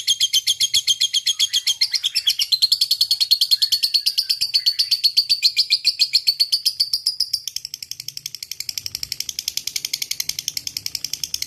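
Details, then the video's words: Long 'ngekek' chattering from a single fighter lovebird in fighting mood: a continuous run of rapid buzzy notes, slightly changing in tone midway and carrying on without a break. "Love Bird Ngekek Panjang"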